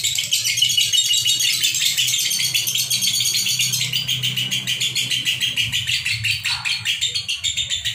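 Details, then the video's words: Two pairs of konslet lovebirds singing continuously without a break, used as tutor audio for young birds: a thick stream of shrill, scratchy chirps and trills, fast and unbroken, over a faint low background hum. "Bunyi Terus Tanpa Jeda Lovebird Konslet"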